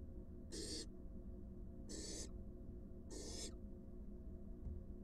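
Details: Wild barn owl nest box, adult arriving with a large rat for its fledgling: three short, airy screeching hisses roughly a second and a quarter apart, then quiet with a low hum.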